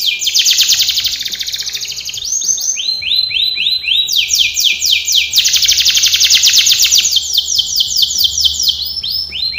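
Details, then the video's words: Continuous canary training song, shifting between fast buzzy trills and rolls of clear falling whistled notes at changing pitches, rich and unbroken throughout. "canary singing / canto Canario cantando | canary training song"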